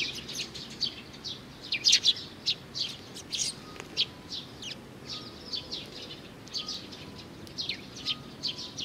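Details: Baby sparrow chirping repeatedly, thin high notes in loose bursts with a louder cluster early on, while a faint steady tone sounds intermittently behind.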